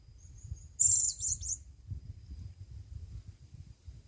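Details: A blue-crowned hanging parrot, taken into the forest for the first time, calls to a female with a very high, thin, sizzling call lasting about a second, over a low background rumble.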